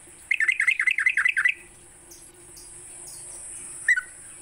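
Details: Yellow-vented bulbul in the morning, used to prompt caged bulbuls to sing: a quick run of about seven bubbly, wavering notes, then quiet, a single clear note near the end, and a steady high hiss throughout.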